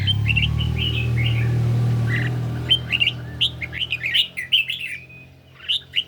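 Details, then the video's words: Caged red-whiskered bulbul on a slightly sunny day, singing in a duel against song played from a phone: short warbled, slurred notes in rapid bursts, with a steady low hum loud during the first half. "Chim Chào Mào Của A Tủa Hót Đấu Với Điện Thoại Cực Xung"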